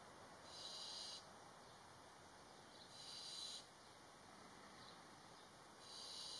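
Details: Two young barn owls interacting at the entrance of their nest box: three breathy, drawn-out hisses, each under a second long, roughly every two and a half seconds, over a steady background hiss.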